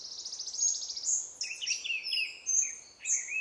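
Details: Scaly-breasted hummingbird in Costa Rica: a quick run of thin, high, evenly spaced chirps, then sharp squeaky notes that drop in pitch and come in short bursts, with faint natural background noise.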